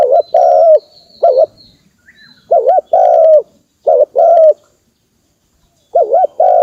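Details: Repeated coos of a spotted dove, used to stimulate decoy birds in trapping: short wavering notes paired with long smooth coos, irregularly spaced, with a longer silence near the end and faint high chirping.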